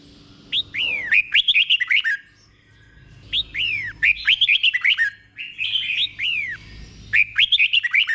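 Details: Red-whiskered bulbul song played for caged bulbuls to learn and copy, a slow, clear doubled phrase: bursts of bright, downslurred whistled notes in three phrases about two to three seconds apart, with a faint low hum beneath.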